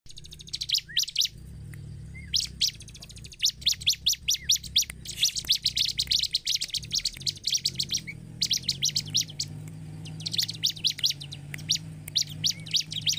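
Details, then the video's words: Bar-winged prinia sings rapid bursts of high, sharp chips and trills, repeated in quick series with brief pauses, over a faint low hum; the song is used to excite other prinias into singing. "pancingan ciblek gacor agar lebih EMOSI Dan bongkar isian|| suara ciblek"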